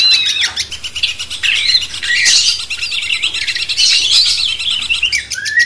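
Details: Cucak cungkok bulbul song used as a master recording to stir a magpie-robin: quick, liquid warbled phrases and rising whistles, broken by short pauses, over a dense layer of high chirping.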